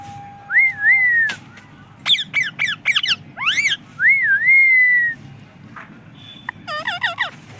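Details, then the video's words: Parrot that talks and is said to say "mummy papa": looping wavy whistles alternate with a rapid run of sharp, buzzy stacked syllables, ending in a cluster of chattering notes; steady low background hum. "mummy papa bolne wala tota"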